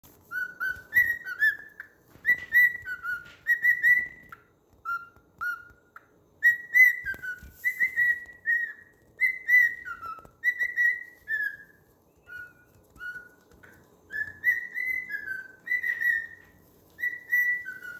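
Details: A pet cockatiel whistles a learned pop tune, Another One Bites the Dust, in clear, bouncing phrases with short pauses between them.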